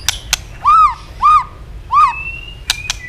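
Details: {'text': 'White-rumped shama stimulated to sing a fighting song while flicking its tail; three clear arched whistles about half a second apart, framed by sharp clicks and a thin steady tone.'}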